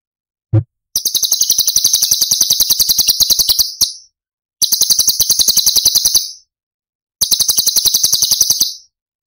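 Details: Masteran recording of a cucak cungkok, Cililin 'tembakan' style, for tutoring other cage songbirds. A faint click is followed by three rapid high buzzy trills, each about two seconds long, separated by short pauses.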